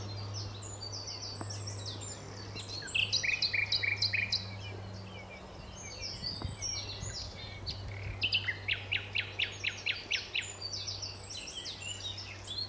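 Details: Nightingale at Alners Gorse, Dorset, singing distant phrases of fast repeated chipping notes and brief whistles, with short pauses between bursts; a constant low hum and broadband hiss run underneath.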